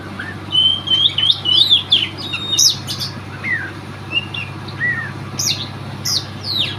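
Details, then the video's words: Oriental magpie-robin, a Riau contest bird never beaten at provincial-level auditions, singing varied whistled phrases: twittering slurs, sharp high notes and short descending whistles, spaced irregularly over a faint constant hum. "Burung Kacer"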